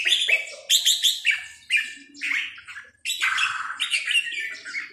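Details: Loud, close red-whiskered bulbul song of the sai nap dok line: bouncy sequences of clear whistled notes, a short break near three seconds, then a long, full warbling phrase.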